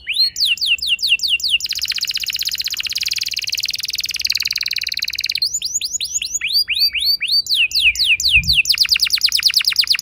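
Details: Young canary song meant to get other canaries singing long rolls: quick slurred notes break into long buzzy rolling trills, then sharp upswept phrases and another rapid trill, all high-pitched.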